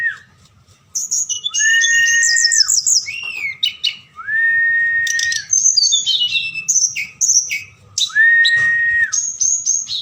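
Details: Forktail singing at night, used as a lure to rouse other birds into calling; busy high whistled phrases and rattling trills repeated several times, with drawn-out level whistles recurring about every three to four seconds.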